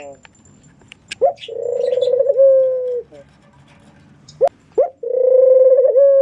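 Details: A pigeon gives two long, low, steady cooing notes, each opening with a brief rising lead-in, with short bursts of speech between them.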